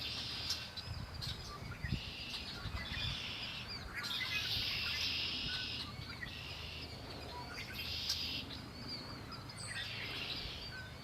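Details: Birdsong by Lake Erie dominated by repeated buzzy trills in bursts lasting one to two seconds, with a few faint chirps and noticeable low rumbling noise underneath.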